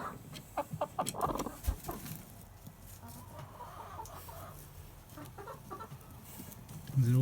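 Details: A hen in a nesting box screeches in the morning as her eggs are collected, seemingly unhappy, and later lays an egg there: harsh, rasping screeches and growling clucks in quick bursts, then quieter, with a person talking softly.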